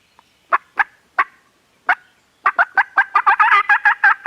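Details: Farm turkeys gobbling, recorded on a Canon G7X camera: a few spaced loud bursts build into a fast, rattling run of about a dozen rough notes as several birds join in.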